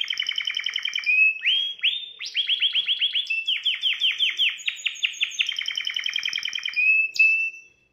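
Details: Singing canary for stimulating a female: bright, fast trills of repeated rising syllables in long runs, a sustained chattering tour, then a clear whistled note and a falling ending.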